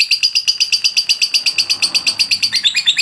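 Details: Rapid, evenly repeated shrill chirps, about five per second, from a lovebird singing its long-duration, persistent training song without a break.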